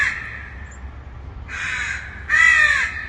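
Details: Harsh caws of a distant crow: a fading call at the start, then two rasping caws in quick succession, the last one loudest and slightly hoarse.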